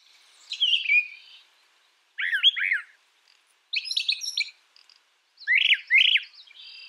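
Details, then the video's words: Brown thrasher singing in short bursts separated by pauses; each burst is a pair of quick, slurred, downward-sweeping notes. A single grating phrase opens the sequence. "Brown Thrasher Bird Sound, Bird Song"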